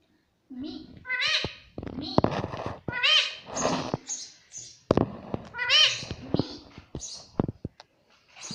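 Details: Pet Indian ringneck parakeet, kept indoors, talking: high, nasal, strongly harmonic word-like bursts repeating "mummy" over and over in quick runs, with short sharp clicks and brief pauses between phrases.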